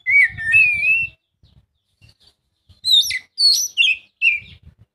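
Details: Oriental magpie-robin singing to coax a quiet bird into song: a long whistled phrase, a gap with faint low knocks, then a run of sharp, bright slurred notes.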